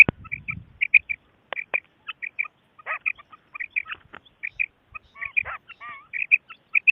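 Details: Common quail calls recorded for hunting: dense series of short, clipped, high chirping notes, often grouped in quick twos and threes, repeated steadily over several seconds with a few lower buzzy notes mixed in.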